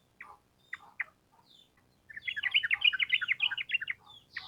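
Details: Sooty-headed bulbul used to prompt trained birds: a few spaced chirps lead into a fast, dense stream of lively warbled notes, then sparse chips return.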